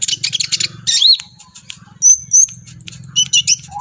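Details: Agitated brown-throated sunbird (kolibri ninja) singing in display; quick high chirps, a rising whistled slur, then thin, very high drawn-out whistles and a final twittering burst, with a low buzzing hum beneath.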